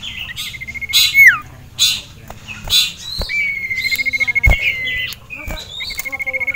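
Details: Caged male sirtu agitated at a rival and a female: harsh scratchy bursts, a falling whistle, then long steady pulsed trills with varied twittering notes.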